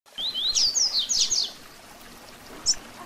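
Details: Double-collared seedeater singing a tutor song of the Tui Tui Zel Zel style, used to train other seedeaters: a fast run of high, sharply sweeping whistled notes lasting about a second, then a lone high chip after a pause.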